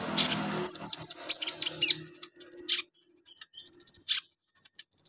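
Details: A lively, actively singing Brown-throated Sunbird (konin) pours out its repertoire of mimicked phrases, used as a master song to train other birds: high, thin chirps and sharp descending whistles, then quick trilled bursts separated by short silences.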